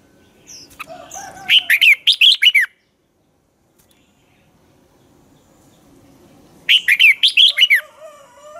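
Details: Caged red-whiskered bulbul used as a lure bird in dueling song practice: two bursts of five to six loud, liquid warbling notes, separated by several seconds of near silence.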